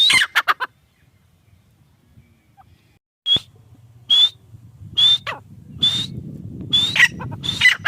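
Grey francolin giving a quick burst of harsh calls, then clear high whistled notes repeated about once a second, over a low steady hum.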